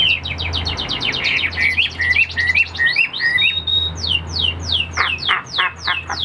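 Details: Caged Chinese hwamei in song, not yet fully conditioned: a rapid burst of short chips gives way to rising whistled slurs, a held note, then widely spaced, loud, down-sweeping whistles.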